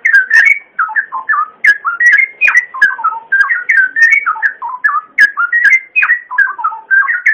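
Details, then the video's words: Cucak ijo, the green leafbird, in full masteran singing meant to coach young birds into steady song: a dense stream of short whistled notes, rising and falling, repeated without pause for over seven seconds. "Masteran Full!!! Cucak Ijo sangat ampuh untuk bikin burung muda anda gacor ngeplong"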